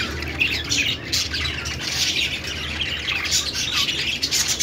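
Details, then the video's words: Budgerigars twittering in a dense, high, unbroken chorus of short chirps and scratchy notes. "parakeet chirping sounds"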